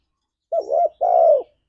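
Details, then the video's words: Spotted dove delivering a low two-part coo, a wavering first note followed by a smooth, long, slightly falling second, from lively 'ngalas' song used to coax pet doves into singing. "Suara Burung Tekukur Ini Pancingan Tekukur Gacor Suara Ngalas"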